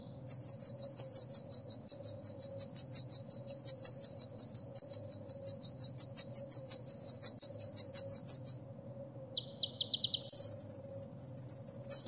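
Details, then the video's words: Olive-backed sunbird (kolibri ninja) filling material for caged birds: a long, fast, even series of high chirps for about eight seconds, brief thin notes, then a dense shrill trill; a low hum continues throughout. "suara isian burung kolibri"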